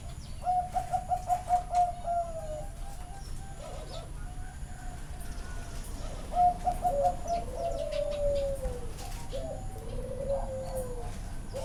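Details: Zebra dove song at a bird farm in Chana, Thailand: a rapid staccato run of short cooing notes, then longer wavering coos that slur downward, with soft background murmur.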